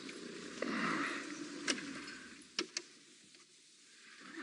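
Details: An idling vehicle hums while a few sharp clicks and knocks sound, with no animal voice.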